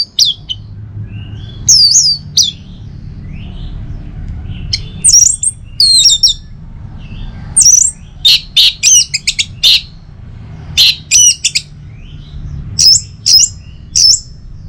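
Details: Orange-headed thrush song, played in the morning as a lure to get kept birds singing: scattered high, sharp whistled notes and short varied phrases with pauses between bursts, over a faint low hum.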